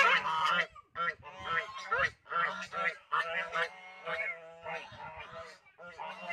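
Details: African geese out on a farm, heard in a rapid run of loud, harsh nasal honks, several birds overlapping with brief gaps, about two honks per second, the calls rising and falling in pitch.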